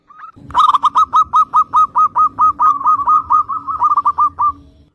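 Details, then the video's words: Zebra dove (perkutut) singing actively, used as a lure to prompt young zebra doves to sing: a steady run of about twenty short, clipped cooing notes at one mid pitch, evenly repeated, rising slightly in pace toward the end. "PERKUTUT GACOR syahdu buat Kelangenan Pancingan Perkutut Bahan"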